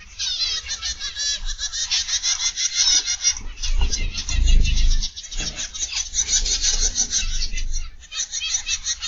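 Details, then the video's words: Aviary zebra finches on the afternoon or evening of 31 August 2021: continuous busy chatter of high nasal beeps from many birds, with a brief low thump midway and constant low hum. "Zebra Finch Aviary Live"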